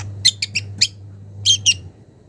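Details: Young wild long-tailed shrike calling a rival: four quick sharp chirps, a short pause, then two louder scratchy notes, over a faint steady low hum.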